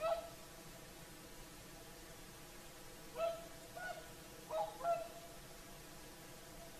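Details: Whooper swans at Lake Saimaa, Finland, calling in the evening at sunset: one honk at the start, a quiet gap, then four resonant trumpeting notes in the last half.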